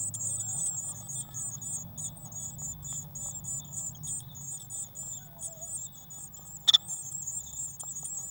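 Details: At a nest box on 19 May 2019 during feeding, Eurasian blue tits give a near-continuous stream of thin, very high chattering calls; one sharp click breaks in partway, and a faint low hum runs underneath.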